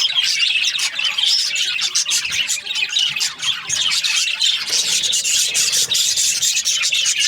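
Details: Happy budgerigars in breeding season, many birds producing a continuous raspy, scratchy chatter of high chirps and squeals that rises and falls slightly in loudness.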